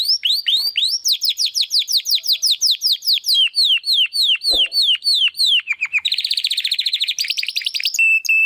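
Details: Spanish Timbrado canary, a young bird working out its full song, sings a long run of quick descending whistled slurs, several per second, then shifts into a fast buzzy roll and a steady high piping note.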